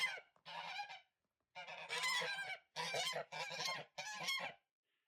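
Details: On a homestead farm, several domestic geese being fed give loud, harsh, nasal honks in five or six bursts over five seconds, calling together.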